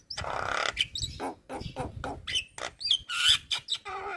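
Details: Chattering Javan myna song meant as a masteran for songbird training: a long noisy rasp, then a varied string of harsh chips and short whistled notes in quick succession.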